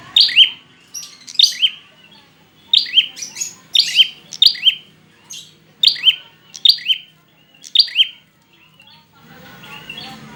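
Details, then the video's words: Prinia call played to get lazy or stressed birds singing: bright two-note chirps, high then lower and buzzy, repeated in irregular runs, ending in low rustling noise. "pancingan prenjak malas bunyi, macet/stres dijamin nyauut"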